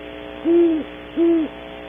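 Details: Two low, even hoots spaced under a second apart come from a great horned owl, one of a pair visiting a cavity early in the morning at Audubon Starr Ranch, California, with a soft electrical hum beneath.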